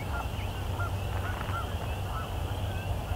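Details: Many Canada geese heard at sunset during the evening chorus, recorded live: faint, scattered honks repeated every half second or so, partly masked by a constant low rumble.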